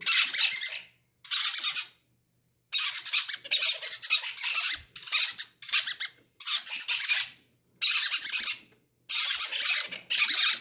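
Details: Greedy young parrots begging to eat first: repeated loud, grating, hissy squawks in bursts of about one second, separated by short silences, continuing steadily.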